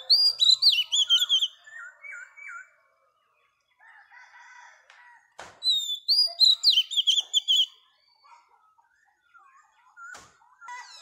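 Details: Female Oriental magpie-robin, wild-caught, singing to rouse males: two loud bursts of rapid, high, warbling whistles separated by quieter, lower whistled phrases and soft chirps from other birds, with a few sharp clicks.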